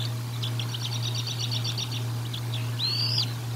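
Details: Bald eagle at the Decorah North nest, recorded by a nest camera on 04 01 2022 during feeding: a quick run of high, thin chips followed by a rising-then-falling whistled note, over a steady low electrical hum.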